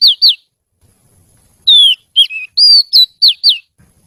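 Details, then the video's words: Oriental magpie-robin giving clear whistled notes: two quick down-slurred whistles, a pause, then a series of clean descending and level whistles with short gaps. "Suara Kicau Kacer Gacor Merdu"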